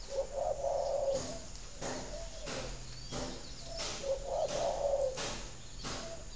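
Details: Spotted dove coo meant to stimulate breeding in kept doves: two low, husky rolling coo phrases about four seconds apart, each ending in a softer note, broken by sharp clattering knocks and scraping sounds.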